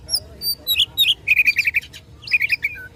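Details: Oriental magpie-robin fighting song aimed at rivals: a few high thin whistles, then a rapid run of six repeated chipping notes and a shorter repeated burst.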